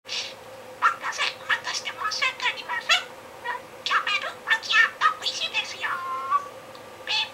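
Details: Pet budgerigar indoors practicing mimicked shop clerk phrases, a favorite game recorded 7 July 2016; rapid chattering bursts of squeaky imitated speech with short pauses, repeating similar phrases over and over, in a quiet small room.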